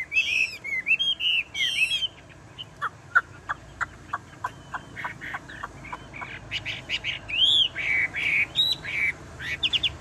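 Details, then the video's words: Chinese hwamei, tame and caged, singing bursts of buzzy whistled phrases. A long series of sharp, evenly spaced clicks follows before loud looping whistles return near the end. "Họa mi thuần đét đẳng cấp hót như máy bộ cực đẹp lắc lồng vẫn hót"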